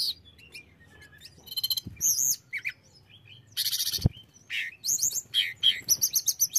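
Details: Hill blue flycatcher, tledekan, singing to provoke aggression in other birds. Busy bursts of buzzy trills and sharp high slurred notes, with two dull thumps partway through.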